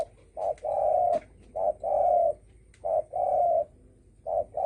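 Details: Spotted dove, 'dong tho sam' style call used to provoke rivals: four crisp couplets of a short hoot then a drawn-out mellow note, separated by short pauses, with light clicks.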